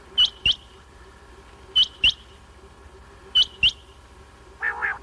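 A quail calls in sharp, high two-note bursts, each pair of clipped whistles repeated about every one and a half seconds, with a lower rougher note at the end.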